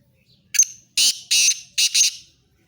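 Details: Harsh, rasping call of a black francolin: a brief opening note, then two loud scratchy bursts and a closely spaced double burst, the whole phrase lasting under two seconds.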